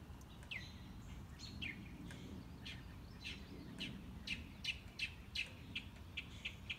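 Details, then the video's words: Mockingbird singing enthusiastically through its repertoire on a morning walk, unseen: a varied run of sharp chirps and short notes that speed into rapid repeated bursts, over a low rumble of background noise. "Mockingbird - Morning Walk"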